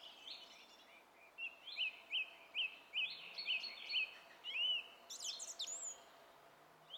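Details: Song thrush in song on 27 April 2016, repeating a clear hooked whistle about six times in quick succession, followed by an arched whistle and a burst of high scratchy notes.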